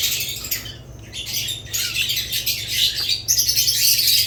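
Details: Budgerigars, alongside lovebirds, in dense overlapping high chirping and chattering from several birds, with bursts of scratchy squawks and fast twittering notes, a brief lull near one second, and a faint low hum underneath.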